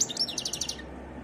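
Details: Brief burst of European goldfinch song, described as wild and varied: a rapid series of bright twittering notes, quickly repeated, fading out after under a second, with low background noise.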